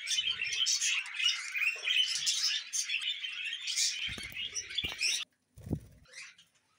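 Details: Pet budgerigars chattering in a dense, continuous warble of squeaky chirps and scratchy notes, then a few brief clicks and a short final chirp after a pause.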